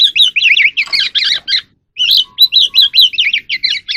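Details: In the evening a wild oriental magpie-robin sings and dances. Dense rapid warbling of looping whistled phrases fills the clip, with one short silence midway and a faint low tone in the second half.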